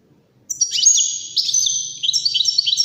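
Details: Singing European goldfinch, recorded for goldfinch chicks and hybrids to learn from: begins after half a second of silence, then dense, high, buzzy twittering phrases with sharper chirps bursting near the end.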